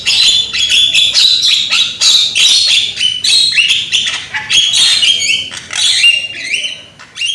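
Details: Loud-voiced young Javan myna serving as a lure to get other mynas to sing: continuous scratchy chatter mixed with squeals and brief rising whistled notes, in a dense and uneven flow.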